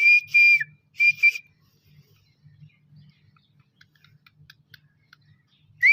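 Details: A young black francolin giving one of its first calls: two loud, grating ringing notes close together at the start, then near silence with a faint low hum, and a final rising note cut off at the end.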